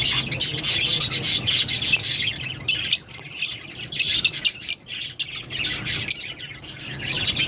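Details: Two green Fischer's lovebirds keep up a shrill, rapid, scratchy chatter of short chirps in uneven bursts, with one sharper squeak late on, over a faint low hum.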